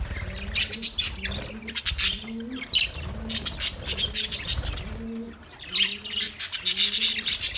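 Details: Parrots chirping on 20 November 2023, busy shrill squeaky chatter over a clear, repeated low dove-like cooing rhythm in the background.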